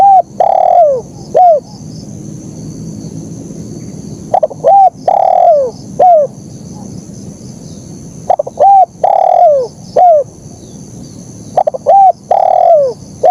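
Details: Persistent 'kuk 1' singing by a spotted dove: the three-part phrase (short coo, long falling coo, short dipping coo) is repeated about four times over thirteen seconds, each phrase opened by stuttered notes, above a soft constant hum.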